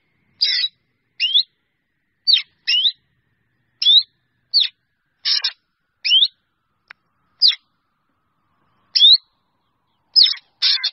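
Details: Irregular run of quick upward-slurred whistles and occasional raspy chatters from a drongo calling its flock, spaced unevenly with short gaps.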